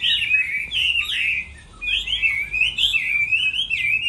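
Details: Chinese hwamei in moult, singing in a contest: loud, rich, fluting whistles in long phrases that slide up and down. A brief pause falls midway before the bird resumes with a rolling, wavering run of notes.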